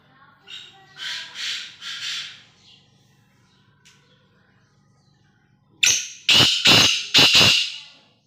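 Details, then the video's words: Pet black francolin (kala tetar) kept as a caged bird: a few softer scratchy notes first, then after a pause a loud run of harsh, grating, rasping bursts in quick succession. "kala tetar ki awaz boli"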